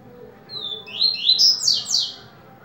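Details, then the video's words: Yellow-bellied seedeater (coleiro baiano) singing the viviti song type: a short bright phrase of high whistled notes, first a thin steady tone, then several quick rising-and-falling slurred notes climbing in pitch, loud and clean against faint background hum. "VIVITI MUITO BOM"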